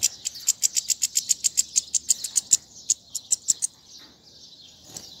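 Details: European goldfinch song offered for tutoring young birds, from a set featuring tiwawati, mandolin, casta casta and sarfati styles: a fast run of sharp, high ticking notes, about a dozen evenly spaced, then fading into a soft hiss.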